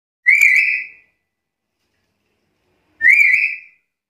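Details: Black-capped lory, an active, vocal bird: two loud whistled notes about three seconds apart, each rising slightly and then held level with bright overtones, in a quiet setting.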